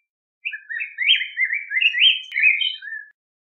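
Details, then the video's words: A yellow grosbeak gives a rich, flowing song phrase of about two and a half seconds: linked warbled whistles that rise and fall, ending on a lower slurred note; background silent. "Picogrueso Amarillo Canto! Sonido! Cantando! Reclamo! - Yellow Grosbeak Song"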